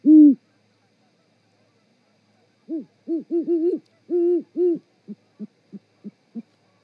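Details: Great horned owl pair mating on the Charlo osprey nest in Montana, live cam, 7 February 2018 at 18.12: one long hoot, a silence, a run of overlapping low hoots, then five short clipped hoots evenly spaced.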